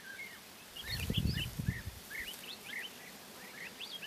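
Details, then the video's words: Woodlark (Lullula arborea) preening its feathers and singing softly: a quiet, rambling string of short whistled and slurred notes, several per second, with low rustling and thumps near the start. "Woodlark brushes its feathers and sings softly"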